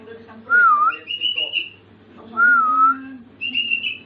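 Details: Pet sooty-headed bulbul practising filler sounds it is learning to copy; two smooth whistled phrases with a slight dip each answered by higher, buzzy trilled notes, over a faint low hum.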